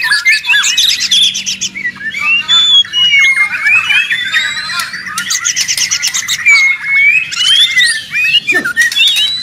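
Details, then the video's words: White-rumped shama singing very noisily, used as training material for songbirds: a dense, loud run of whistled slurs, sharp chattering notes and rising and falling phrases, almost without pause, with a faint low hum beneath. "Murai ribut Sangat berisik. dijamin nyaut bongkar materi."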